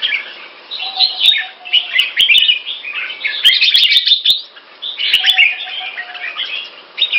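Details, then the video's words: Red-faced Pama Dha (Burmese Sword) Red-whiskered bulbul, a caged bird kept in Singapore, giving bright, chirpy warbled phrases in bursts about a second long, separated by brief gaps. A faint steady tone and a few clicks are also heard. "สิงคโปร์เลี้ยง นกหัวจุก Red face Pama Dha Burmese sword Clear Loud"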